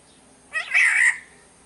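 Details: {'caption': 'Black-naped oriole from Sumbawa giving a single harsh, nasal, cat-like call lasting about half a second, rough and buzzy with a slight rise, against a quiet background.'}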